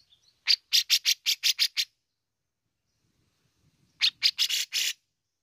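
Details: Grey-cheeked bulbul (cucak jenggot) giving besetan-style rasping: a series of seven harsh, noisy bursts in quick succession, a pause, then five more grating bursts.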